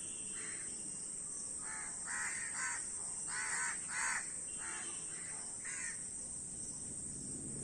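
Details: Several crows calling, separate harsh caws spaced unevenly, louder grouped bursts in the middle, over a faint steady hiss.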